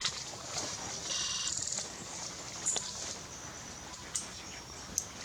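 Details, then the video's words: Club-winged manakin at Milpe Bird Sanctuary, Ecuador: a single short, ringing, buzzy tonal note lasting under a second, followed by a few faint sharp clicks over steady high background hiss. "Club winged Manakin"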